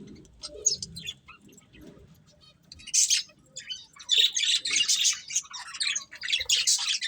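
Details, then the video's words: Budgerigars of a breeding pair: scattered faint chirps at first, then a sustained stream of loud, scratchy, high chattering. "Colourful Budgies Chirping Sounds"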